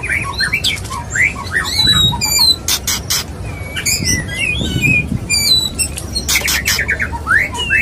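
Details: A courting male white-rumped shama sings to a female, mixing short whistled notes and upward slurs with many loud, sharp snapping clicks spaced through the phrase.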